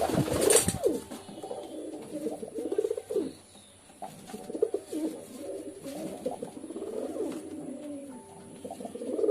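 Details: Pigeons murmuring low, warbling coos that overlap and rise and fall unevenly. A loud flap or clatter opens the sequence.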